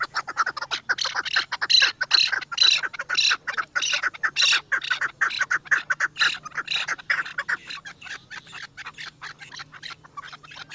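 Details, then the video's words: Chukar partridge from Pakistan, described as the national bird, excited while circling a female: long, rhythmic run of loud, harsh chuck notes about two per second that builds, peaks midway, then thins into quicker, softer clucks over a faint steady hum. "چکور کی مستی آواز دیکھو"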